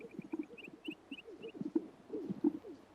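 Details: Greater Sage-Grouse males gathered in spring at a traditional breeding lek, performing an elaborate ceremony to impress females and intimidate rivals. Soft, low bubbling coos and pops come in irregular bursts, with faint short paired higher notes above.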